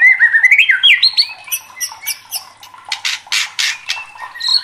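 White-rumped shama in agitated song: rich, looping whistled phrases sliding up and down, broken by harsh rasping squawks, roughly three notes a second.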